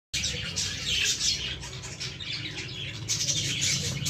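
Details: Baby lovebirds in a plant give a dense, continuous stream of high, scratchy chirps with overlapping squeaks and no pause, over a steady low hum.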